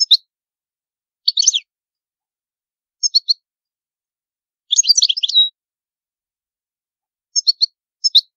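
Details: European goldfinch of the old Palermo, Sicily song type: short bursts of bright tinkling twitters separated by one- to two-second pauses, with one longer liquid run midway; otherwise silent background.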